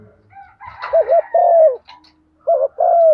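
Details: Female spotted dove giving lure calls in the urging 'thúc gù' and calling 'gáy gọi' styles: low mellow coos, each a quick wavering double note followed by a long drawn, slightly falling coo, heard twice, with faint higher chatter before the first.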